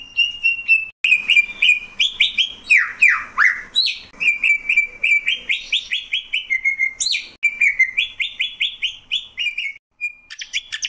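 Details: Long energetic greater green leafbird song of rapidly repeated whistled notes, deep swooping downslurs, rising whistles and high sharp notes, delivered almost without pause.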